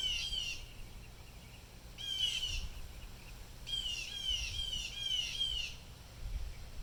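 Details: Excited blue jays, disturbed by something unknown, utter grating squawks in short bursts of several rapid harsh notes, pausing between volleys, with low rumbling background noise.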